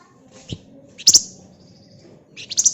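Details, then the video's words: Flamboyan bird singing in the dense, rapid ngebren style, used as a lure: two short, very high buzzy chattering bursts roughly one and a half seconds apart, with a faint low hum underneath. "Burung Flamboyan Gacor Ngebren Rapat Pancingan Ampuh"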